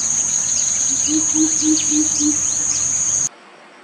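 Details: A greater coucal calls a run of about five low, booming notes at an even pace. A constant shrill insect trill and scattered small bird chirps sound behind it before the recording drops to near silence.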